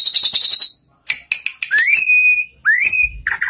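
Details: Tame drongo (saeran gunting) with a varied repertoire gives a brief harsh chatter, then clear upslurred whistles that rise and hold steady, separated by short sharp clicks.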